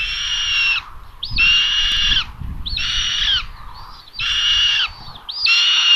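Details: Common buzzards at a live solar-powered nest camera in Tiszalök, Hungary, on May 27, 2022, around 12:32, as the mother brings lunch for the third chick. Loud, harsh, squealing calls of about a second each, with rising starts, repeat at short, uneven gaps.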